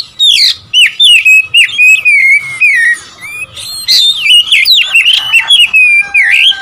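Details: Oriental magpie-robin, song to rile rival birds: a continuous stream of loud, slurred whistles and short chips, the phrases dipping and climbing steadily for nearly seven seconds.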